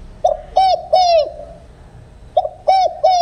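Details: Spotted dove cooing in a field-style song without the final trailing note, meant for luring doves into traps: short phrases of two to three mellow, hooked coos, with a gap of over a second between phrase groups.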